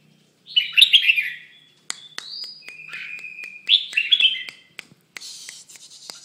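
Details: Red-whiskered bulbul, moulting, delivering rich warbled phrases and a few sustained level whistles, with sharp clicking taps in the background and a hiss near the end.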